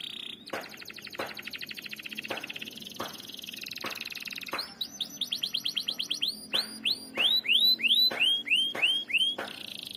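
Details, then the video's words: Canary lure song with long rolling delivery: sharp clicks and rapid buzzy pulses at first, building into a run of high downward-curving whistles repeated several times a second, over a steady background hiss. "Pancingan kenari macet bunyi ngerol panjang"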